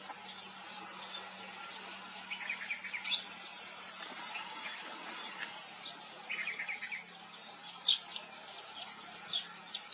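Vernal hanging parrots give sharp, very high squeaky notes and a few thin chirps, over a steady high insect drone.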